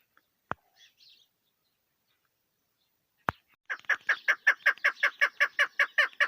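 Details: Female chukar partridge in a hunting setting: faint chirps and two sharp clicks, then a quick run of harsh, rhythmic chuck notes at about two and a half per second.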